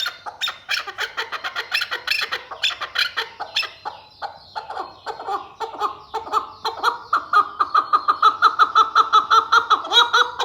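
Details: Male Sulaymani chukar partridge calling: a long run of rapid, rhythmic clucking chuk notes that gradually settle into an even, accelerating series of throaty syllables, loud and continuous throughout.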